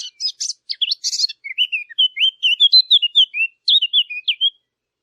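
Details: Chirping birds: bursts of sharp, high chirps and rattly notes open, followed by a flowing series of bright whistled slurs, each rising then falling, repeated quickly with no other sounds present.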